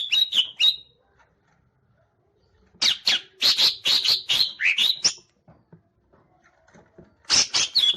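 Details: Caged green leafbird singing with its tail fanned out: clusters of sharp, high whistled notes and slurred chirps in quick runs, separated by silent gaps of about two seconds.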